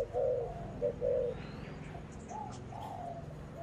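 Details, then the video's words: Spotted dove 'âm bầu' (thổ bầu) cooing, afternoon of 28 November: two or three firm low coos at the start, then softer, fainter coos later, with a low droning background. "ÂM BẦU"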